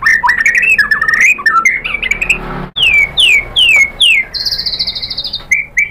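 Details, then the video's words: White-rumped shama song used as a lure to provoke other birds into singing. Loud varied phrases mix rapid chattering notes, descending whistled sweeps repeated four times and a high sustained buzzy note. "PANCINGAN MURAI BATU biar EMOSI NYAUT jadi GACOR BONGKAR ISIAN | SHAMA BIRD"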